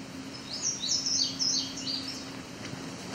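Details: An Indigo Bunting sings in the Great Lakes region with a second bunting nearby, giving a quick, high run of sweet, paired chirping notes lasting under two seconds, over a low steady hum.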